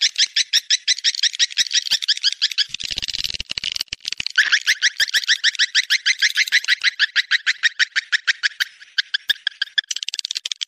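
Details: Swiftlet mating call: a fast run of sharp, clicky high chirps repeated about three times per second with scarcely a pause, briefly rougher and blurred in the middle, on a quiet background.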